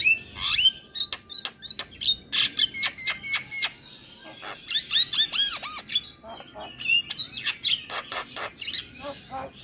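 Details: Lively Javan myna song packed with varied notes: clicking pulses, squeaky whistles and looping slurred notes repeated in quick bursts, with barely any pause throughout.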